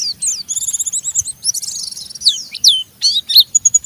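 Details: Oriental white-eye (pleci) in gacor rough 'ngeriwik' song to stimulate other white-eyes: dense, scratchy high warbling with buzzy trills and quick slurred notes, broken by brief gaps and sharp chips.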